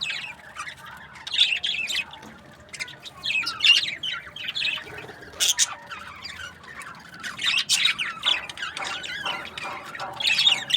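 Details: Budgerigars kept as breeding pairs give a steady mix of harsh squawks and high chirps, rising and falling in loudness throughout.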